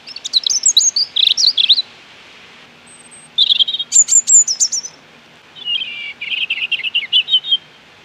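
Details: Robin song in three separate bursts of quick, tumbling high twitters and sharp whistled notes, a pure thin whistle in between, with brief silences separating phrases and no other clear sounds.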